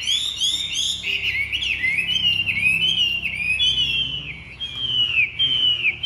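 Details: Chinese hwamei in captivity delivering a continuous, high whistled warble. Looping, slurred notes flow one into the next with hardly a pause, loud and clear throughout.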